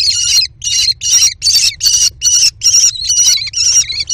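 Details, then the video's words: Nestling American kestrels screaming in a nest box as they squabble over a prey item, with steals and mantling; loud, harsh, high wavering screams in a steady series, roughly two to three each second. "CRAZY Food Frenzy ~ Steals, Mantles & Tug-O-Bird"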